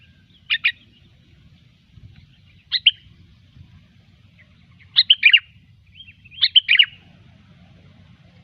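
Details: Sooty-headed bulbul singing in the gecor style, used as a lure sound: short bubbly chirped phrases in separate bursts, the last ones quick double and triple notes, with a faint low hum underneath.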